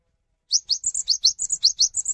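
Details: Cinereous tit singing steadily to draw other tits into song: about eleven quick, bright, high notes alternating between rising strokes and flatter whistled notes, delivered at a brisk regular pace.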